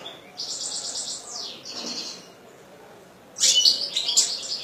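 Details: Kept European goldfinch in song: a thin, buzzy, high trill with a downward slide, a pause, then a loud burst of jumbled tinkling twitters.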